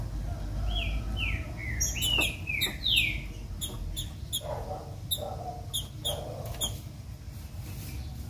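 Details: Green-winged saltator female song used to rouse the male: a series of falling whistled slurs, then scattered clicks and softer low notes, over constant low-pitched background noise.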